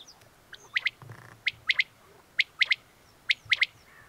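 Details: Male common quail giving its song, known in Russian as 'boy' and rendered as 'spat pora' or 'pit popit': crisp three-note phrases, a short note then two quick sharp ones, repeated about every second with a faint low rumble behind.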